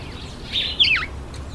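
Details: Black-collared barbet at a feeding table: a short burst of clear whistled notes falling from high to mid pitch, with a brief louder slurred phrase after a quiet start.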